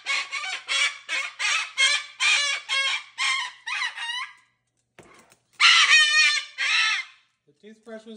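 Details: Pet cockatoo calling loudly indoors; quick run of harsh, rasping squawks for about four seconds, a short gap with faint background noise, then a few more loud squawks and soft trailing notes.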